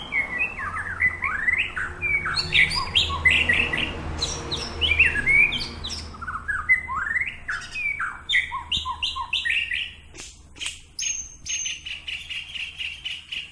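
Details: At Samadua police sector, a white-rumped shama sings during training: a long, varied stream of sweet whistles, slurred notes and quick chirp series, broken by sharp clicks and a sustained high note near the end, over steady low hum.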